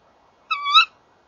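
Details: A tawny owl, one of a male and female pair calling together at a nest box at 19:31 on 30 January 2014, gives a single hoarse, nasal call under half a second long, rising and sharpening at the end, over a faint hum.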